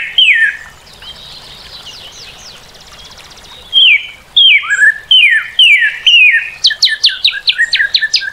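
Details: Northern cardinal song of loud, slurred whistles that drop sharply from high to low, delivered in a steady run of five, followed by a burst of quicker, higher notes; a fainter bird twitters earlier.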